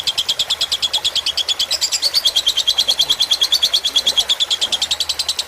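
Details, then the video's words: Long-lasting lovebird fighter song used for tutoring, played with murmuring water: a continuous pulsing stream of sharp, bright chirps at about three per second, with a steady low hiss of water. "Suara masteran lovebird fighter dengan gemericik air agar cepat masuk"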